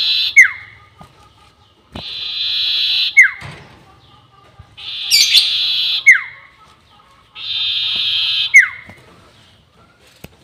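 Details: Sirtu bird in a lure recording for bird trapping, the long-whistle style. A buzzy, hissing burst about a second long is followed by a sharp falling whistle, with the phrase repeated four times at a steady pace.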